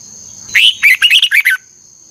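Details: Red-whiskered bulbul in the 'ché căng lửa' style of morning song, recorded as a lure for training birds. One crisp phrase of six or seven quick, rolling whistled notes lasting about a second, over a faint continuous high tone.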